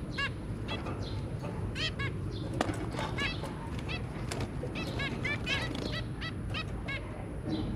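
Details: Zebra finches, a pair with their three babies, 23 January 2022, give a busy run of brief trumpet-like beeps, some doubled, repeated every half second or so against constant low background noise.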